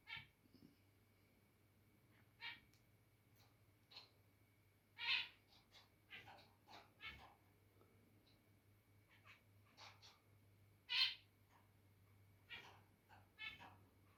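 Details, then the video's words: Zebra finches indoors, one bird turning territorial and starting to sing: sparse series of short, nasal, harmonic-rich beeps and chirps at irregular intervals, with louder emphatic notes around five and eleven seconds, over a faint steady low hum. "Territorial Birb Today (Makes Cute Noises Near The End) Zebra Finches"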